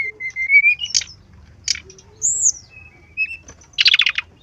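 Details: Brown-chested jungle flycatcher song meant to prompt singing: a steady level whistle rising slightly, isolated buzzy notes, a high arched whistle, and a final rapid rattling burst.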